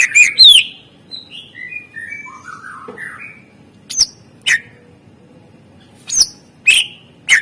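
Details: Greater green leafbird singing isian master song to coax quiet birds: bright opening chirps, a soft, wandering series of descending whistles, then scattered sharp single chips.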